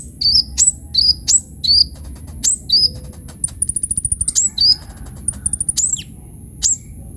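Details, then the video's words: Sunbird in vigorous varied song, meant as a lure and tutor; high slurred whistles and chirps broken by rapid trills of dry ticking notes, with a thin steady high tone throughout. "KOLIBRI NINJA GACOR FULL ISIAN"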